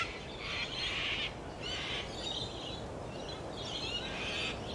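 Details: Laughing kookaburra with loud, raspy cackling bursts, one strong burst followed by quieter repeated chuckles, a faint hiss of background noise beneath.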